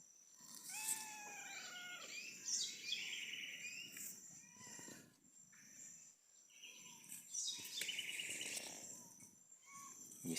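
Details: A house wren (garrincha) sings near a rural smallholding in Brazil's Atlantic Forest, heard while walking up a slope: rapid bubbling trills and chatters rising and falling in quick bursts, with other birds and a soft natural background.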